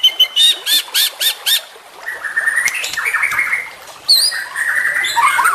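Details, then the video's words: A juvenile white-rumped shama, a champion bird used as a master for other shamas, gives six loud, evenly spaced chopped notes, then softer warbling chatter and a sharp whistled sweep. "Trotolan Murai Juara Supaya Cepat Rajin Bunyi & Gacor"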